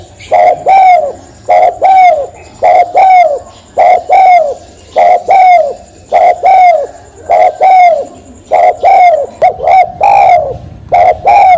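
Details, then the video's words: Spotted dove (tekukur) giving a long, regular series of two-part coos. A brief clipped note is followed by a fuller, downward-bending hoot, about ten phrases repeated roughly once a second. A thin steady whine is faintly present. "Suara Burung Tekukur"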